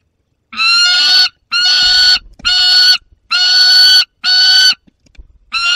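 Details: Young peregrine falcon with its prey, adult nearby, Barycz Valley, Poland, August 2022: six harsh, whining screeches, each roughly two-thirds of a second, separated by short quiet breaks.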